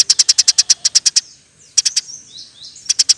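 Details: Eurasian tree sparrow singing in the busy 'nembak rapet' style meant as a tutor recording: a dozen evenly spaced shrill chirps, a pause filled with thin sliding whistles, then three more chirps.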